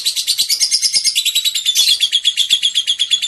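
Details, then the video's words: Lovebird ngekek: a dense, continuous trill of rapid shrill pulses, very even in rhythm, holding a high buzzy pitch for the whole stretch. "Burung love bird ngekek panjang banget 3 menit"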